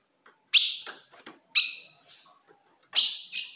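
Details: Ultramarine grosbeak female calling to stir up a male: three loud, bright, sharp notes about a second apart, each ringing briefly before fading, with soft clicks between.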